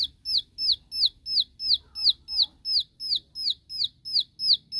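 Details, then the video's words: Bar-winged prinia delivering its shooting song to challenge rivals, a very regular series of about fourteen sharp, high, falling whistles at nearly three per second. "Suara Tembakan Ciwah Memanggil Lawan .Ciwah Lain Pasti Ikut Nembak"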